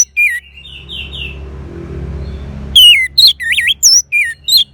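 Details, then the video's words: Orange-headed thrush, kept as a cage bird in northern Bali, Indonesia, used as a therapy song to prompt a silent bird to sing: a brief buzzy phrase, a quiet pause, then a run of loud, looping, warbled whistles. "Terap1 Suara ANIS MERAH Macet Bunyi Agar Mau Kenceng Dengar Kicauan Ini. dijamin Pasti Nyaut."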